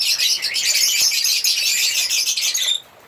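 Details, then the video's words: A burst of African lovebirds chirping, a busy, high, squeaky chatter from several birds that stops abruptly near the end. "African Lovebirds singing and chirping sound"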